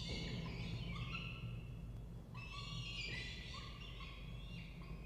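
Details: Peregrine falcons, a family with a female and a male nestling, nest box inside a water tower, Orange, New South Wales, Australia, morning of 2 November 2024; loud, rich, drawn-out wailing cries in two bursts above a constant deep mechanical hum.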